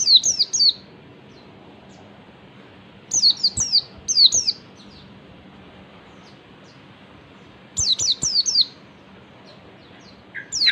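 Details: Oriental white-eye in ngalas song style, used as a lure to make other white-eyes respond: four short bursts of high, thin, downslurred whistles, each burst of three to four notes, separated by pauses of several seconds over a faint low hum.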